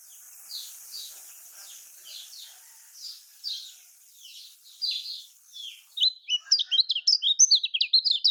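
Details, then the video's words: Kecial kuning song in Lombok style, used as a lure for reluctant singers: soft repeated high notes over background hiss, then a clean, fast flurry of sharp chirps near the end. "Kicaumania Kecial Kuning Paling Suka Ini Untuk Kecial Kuning Kurang Ngacor"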